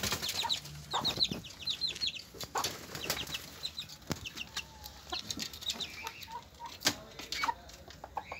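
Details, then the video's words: Hen with her chicks: a burst of high chick peeps at the start, then scattered cheeps, pecking taps and rustling, with a few low clucks from the hen. "Gallina con sus Pollitos"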